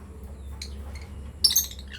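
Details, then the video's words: Breeding pair of lovebirds, with a short burst of harsh, high chirps near the end. Faint brief squeaks come earlier over a steady low hum. "Lovebirds chirping sound"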